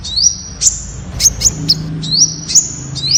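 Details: Temminck's sunbird giving thin, very high whistles that rise and then hold level, with several sharp clicking ticks between phrases.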